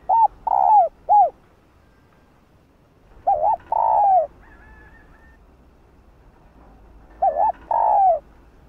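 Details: Female spotted dove cooing to stir males into calling: three low hooting phrases, each of short clipped coos followed by a long drawn, slightly falling note, spaced about three to four seconds apart; quiet background.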